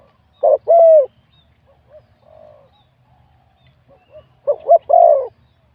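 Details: Competition spotted dove, a wild-born bird scored 87 points, voice described as middle-to-big. Two low coo phrases, each short notes leading into a longer coo, separated by a quiet gap with faint soft calls.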